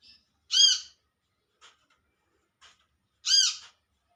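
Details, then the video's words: Olive-backed sunbird in the wild calling to companions: two loud, rich, arched notes about three seconds apart, with faint soft ticks in between. "Suara Panggilan Burung Kolibri Manggar/Kolibri kelapa"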